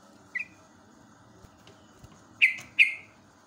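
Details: Morning recording of a yellow-vented bulbul, natural sound for training caged birds: one short clipped chirp, a long pause, then two loud, sharp, falling chirps in quick succession over a faint background hum.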